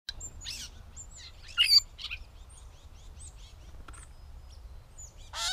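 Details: Catbird giving a jumbled run of short squeaky and scratchy notes, high and varied, with a louder burst near the middle and a rough rasp at the end; low background rumble throughout.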